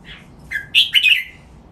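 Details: Single short phrase from a caged red-whiskered bulbul in a song-training recording: a soft opening note, then a bright, slurred three-part whistled flourish, clear against a quiet background.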